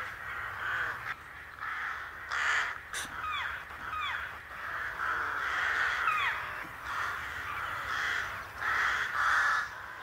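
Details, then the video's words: Rooks (Corvus frugilegus) calling: harsh, raspy caws in a broken chorus of several birds overlapping, with short hoarse notes repeated irregularly. "The Rook - Bird Song"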